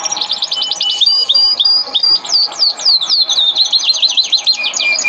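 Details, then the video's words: Masteran kenari, a canary training song: rapid high trills and rolled notes, a level whistle, then repeated downswept slurs and zigzag warbling phrases, continuous and loud throughout. "Masteran kenari burung | Canary training song"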